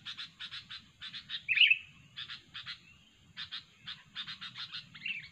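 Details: Sooty-headed bulbul recording used for trapping lures: groups of rough buzzy chatter pulses in quick series with short pauses, one bright whistled note near the middle and a softer warble at the end.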